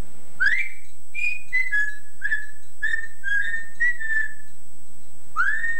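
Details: A male pet yellow-naped amazon copies his female owner's singing voice, even her Liverpool scouse accent, in clear, tuneful whistles: about eight short notes, some sliding up, then a pause and one last rising note. From an old home tape.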